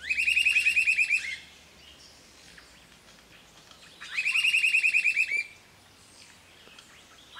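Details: Gray-hooded Attila (Attila rufus) at Projeto Dacnis, Ubatuba, São Paulo, Brazil, on 16 September 2016, gives two quick bursts of about a dozen clear, bright notes, each just over a second long, with quiet forest background between them.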